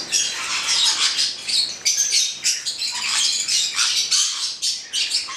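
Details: A pair of black-headed parrots giving dense, harsh, shrill screeching calls that overlap almost continuously, in bursts with brief dips between, bright and high-pitched with no low sounds.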